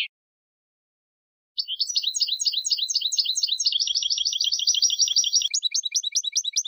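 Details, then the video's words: European goldfinch song for training contest birds: after a silence, a long continuous stretch of rapid twittering notes that becomes a denser, higher trill and ends in spaced chirps. "Canto del Jilguero 5 horas para educación de concurso"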